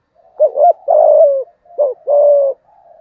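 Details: Two close phrases of spotted dove cooing, 'giọng thổ' style, aimed at stirring wild rival males: a rapid doubled note then a long, even, low coo each time.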